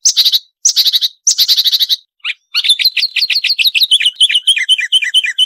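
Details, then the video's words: Marsh warbler song for training songbirds: dense buzzy chattering bursts separated by short gaps, followed by a rapid run of varied, sharp, twittering notes. "Masteran Burung Suara Tajam - Masteran Nembak Tajam - Mars Warbler"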